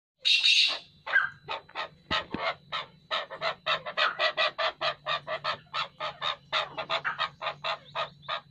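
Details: A pair of chukar partridges calling: a loud harsh opening burst, then a long steady series of clipped, clucking chuck notes repeated about three times a second, with a faint low hum underneath.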